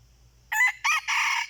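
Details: A wild red junglefowl crows in reply to a decoy: one loud, hoarse crow in three bursts, two short choppy notes followed by a longer strained final note.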